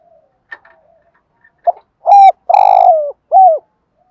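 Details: Morning cooing of a spotted dove used as a decoy to draw in wild birds; faint soft notes lead into one loud phrase of a short coo, a drawn-out buzzy note and a bending final coo.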